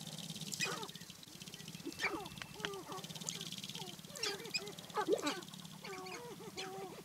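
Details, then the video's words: Male Sharp-tailed Grouse at a spring lek in the Namekagon Barrens, Wisconsin, battling for dancing grounds and displaying to hens. Several birds give short, bent, hooting and clucking notes in overlapping bursts, with a steady low hum and a high background hiss. "Sharp-tailed Grouse Lek"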